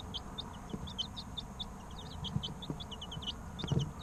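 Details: Young chicken chicks, about three weeks of age, giving high thin peeps that slide downward, many overlapping in a steady stream, with a few soft knocks and a louder bump near the end.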